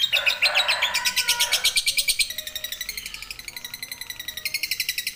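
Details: Lovebird 'ngekek' trill used for song training: an unbroken run of quick, shrill, evenly spaced pulses, louder at first with a lower rough burst, then continuing slightly quieter.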